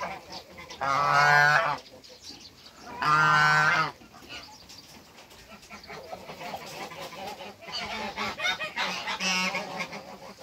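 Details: An African goose pair being brought together on a farm: two loud, harsh honks of about a second each, then a run of quieter, shorter honks with faint background chatter.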